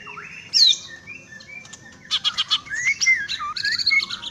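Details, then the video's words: Greater green leafbird (cucak ijo) singing: a lively run of clear whistled notes, sharp rising and falling slurs and rapid chattering bursts, bright and high, with a light wing-flutter-like rustle. "burung cucak ijo"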